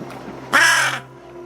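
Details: First sounds of a very young rescued crow whose throat was damaged by a cat: a single harsh, rasping caw lasting about half a second, following quiet background.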